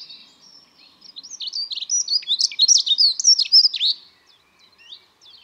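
A Dunnock sings a fast, high, jangling warble of thin squeaky notes, about three seconds long, with no other clear sounds.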